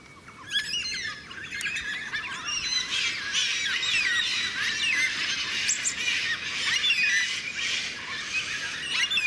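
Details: Carnaby's black cockatoos (Zanda latirostris) in Western Australia, a flock calling over one another in a steady chorus of harsh, drawn-out, slightly wailing squawks that overlap throughout.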